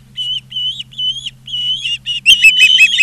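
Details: At a Charlo, Montana nest on 20 August 2023, an Osprey gives drawn-out whistled notes, each slightly rising then falling, about three a second. The last second turns to a burst of harsher overlapping chirps. A faint low hum runs underneath.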